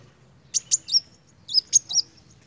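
A sunbird gives two quick bursts of three thin, very high, sharp chirps, about a second apart, over a faint low hum.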